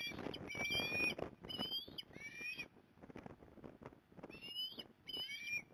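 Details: Osprey at a Port Lincoln, Australia nest on 15 November 2020, mother arriving to help; high whistled slurred calls in bursts, some rising, separated by quieter gaps with low background noise.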